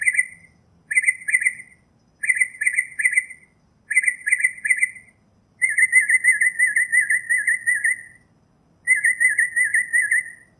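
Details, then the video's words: Wild Northern mockingbird song made of rapid chattering trills repeated four times, then switching to a longer, steadier rattling trill that is given twice, with silent gaps between phrases. "Birds Singing - Northern Mockingbird"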